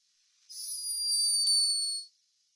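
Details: A sleeping hummingbird in Peru snores: one thin, very high whistled tone that slides gently downward for about a second and a half.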